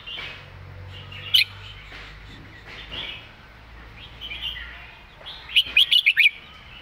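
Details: Red-whiskered bulbul, a caged songbird, delivering its main song pattern: scattered soft chirps early on, then a bright, quick phrase of five clear warbled notes near the end. Low background rumble throughout.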